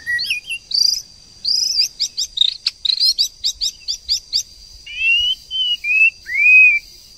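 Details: White-rumped shama pair, a female stirring a male to sing: rich varied song of clear whistled slurs, rapid repeated high notes in a quick series, then lower drawn-out rising and falling whistles. Quiet background.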